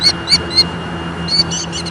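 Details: Upset killdeer in Leach Park, Bettendorf, Iowa, 25 June 2014 at 8:43, calling loud, piercing high notes: three spaced cries, a pause, then a tighter cluster of several more, over faint low background hum.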